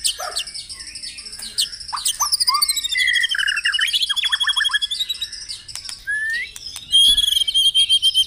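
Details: Song of a white-rumped shama used to stimulate caged birds each morning: varied whistles, a quick run of falling notes, long high beaded trills, and a loud closing whistle.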